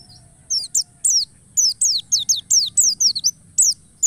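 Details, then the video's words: Continuous high, thin white-eye song serving as a lure to make other white-eyes sing, with rapid descending whistled notes repeated almost without pause, over a faint low rumble and steady hiss. "pancingan pleci agar ngalas penuh emosi dan ngotot"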